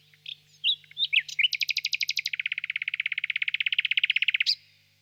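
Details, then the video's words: ['Nightingale in a birch grove on a warm spring evening, singing from a distance: several varied chirps, then a long rapid trill of about forty even notes that drops lower partway through before ending abruptly.'] "Пение соловья"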